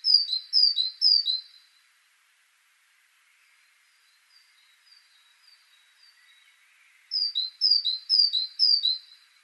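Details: A Great Tit (Parus major) sings bright, high two-note phrases, three then four in quick succession, with faint distant birds calling in the pause between.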